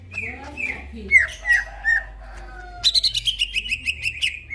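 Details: Greater green leafbird singing at night, slurred whistles and rough notes, then a rapid run of crisp, repeated ticking notes over steady whistled tones, with a faint low hum behind.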